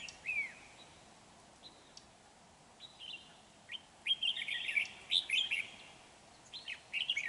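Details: Red-whiskered bulbul singing as a trapping lure, a big dark-bibbed bird, recorded 31 January 2019: scattered short whistled notes, then a run of rich, rapid, overlapping warbled phrases.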